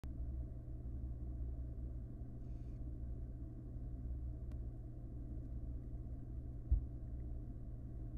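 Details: A deep, continuous traffic rumble dominates, with a single faint knock near the end and no animal sounds.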